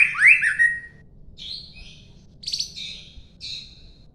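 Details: Long-tailed White-rumped Shama opening with a loud rising whistle, then after a pause giving short, spaced chattering notes and brief high buzzy bursts.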